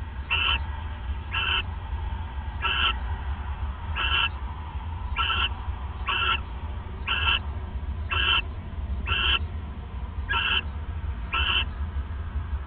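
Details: Nesting owls bonding around 1:26 AM, December 29, 2014, on a nest camera; a steady series of eleven short rasping screech calls, roughly one per second, above a continuous low droning hum.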